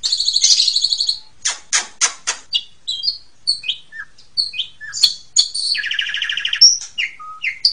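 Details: Asian pied starling song meant to train young birds: a buzzy trill, then sharp clicks, scattered short whistles and chirps, and a rough rattling phrase before more whistled notes.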